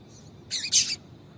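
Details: Two rapid, bright, high chirps run almost together from a female double-collared seedeater, whose call serves to excite a male into singing; quiet hiss before and after.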